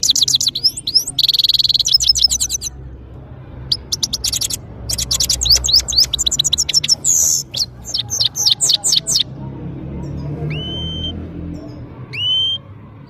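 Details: Saira or European goldfinch from Parachinar in powerful song: dense bursts of rapid, high, metallic twittering and buzzy trills, then two separate rising whistled notes after a quieter stretch with low background rumble.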